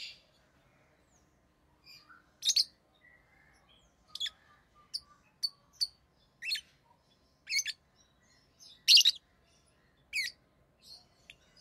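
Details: Rosy-faced lovebirds kept as pets, in orange-faced green and red-headed green colours, chirp in short, shrill, scratchy notes repeated roughly every half second to second, some louder than others, with near silence between.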